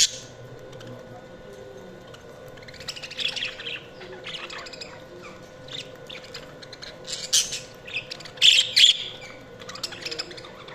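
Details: Budgerigar chirping in loose bursts of quick, scratchy, high chirps, quieter at first and building to a louder cluster of sharp notes toward the end, over a faint hum.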